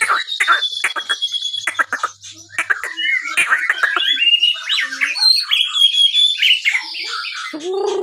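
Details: Captive White-rumped shama from a Pangandaran breeding stock, singing as a lure to stimulate other birds after recovering from moult. Rich, varied stream of whistled and buzzy notes with sharp clicks and rapid chattering phrases, constantly changing, loud and unbroken.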